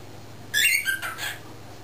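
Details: Young male talking cockatiel, less than a year old, caged inside while its owners work in the driveway; one clear, bright two-part harmonic utterance, the first part sharper and the second softer and breathier, over faint room hum.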